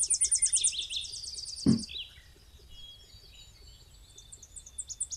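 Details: Tennessee Warbler song, probably recorded on a rainy, dewy day at a nature area by a power plant lake: very high, rapid run of thin, dry chips speeding up over two seconds, then a dull thump and scattered high notes from other birds.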